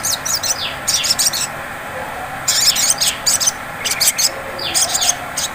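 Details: Sunbird ngleper song, played as a lure to set off ngriwik singing: energetic, very high chattering bursts with downslurred chirps mixed in, repeated in clusters about every second, faint low hiss beneath.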